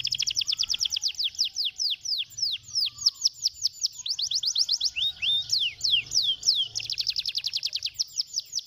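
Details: Canary stimulating song made of fast repeated downslurred whistles, grouped into bursts that speed up and slow down, with a quick rattling trill near the end.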